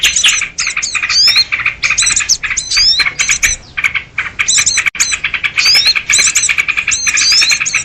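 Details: Sooty-headed bulbul noisy calls used as a lure for trapping birds: dense, loud, chattering bursts of harsh and whistled notes, rapid rising slurs and squawks repeated almost without pause.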